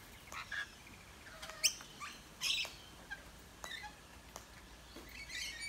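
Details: Wild rainbow lorikeets visiting a backyard in Australia, chattering while they eat: faint, scattered, harsh screechy chirps and short squawks at irregular intervals, with quieter overlapping calls in the background.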